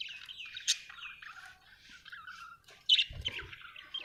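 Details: Budgie from Australia chirping with drawn-out whistled, wavering notes and buzzy chatter, then a sharper cluster of squeaks and a low thump near the end.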